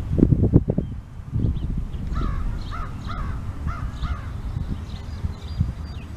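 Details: Crows at Bristol Town Beach on a warm May 2022 day: a quick run of about five short, hoarse caws midway, over loud low rumbling background noise.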